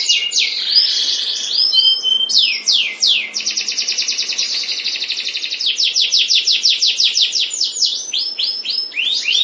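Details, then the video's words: A canary from a breeding pair sings a long, high, continuous song of fast rolling trills and sweeping whistled notes, changing phrase every second or two. "Kicau Burung Mania Burung Kenari Sepasang Ternak"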